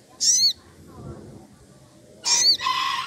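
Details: Rufous piculet from the wild, excited and challenging a rival: two loud, shrill, very high squeals with layered tones, the second trailing into a harsh buzzy burst, over steady low noise.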